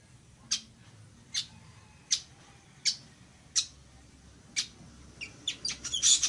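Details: A Village weaver repeats sharp, high ticks at an even pace, then hurries into a rapid cluster of notes that begin to turn buzzy at the end.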